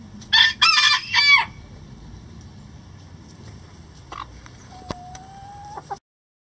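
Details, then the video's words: Hens in a coop: a quick burst of three loud, raspy clucks within a second, followed by quieter scattered clicks and a thin whistle-like tone. "Chicken Sounds Relaxing Chicken Coop"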